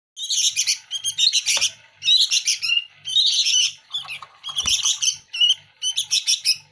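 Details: Local sooty-headed bulbul chicks, kept and hand-fed daily, competing for food; loud raspy, buzzy begging bursts repeated rapidly in clusters, about ten bouts, with a faint low hum underneath.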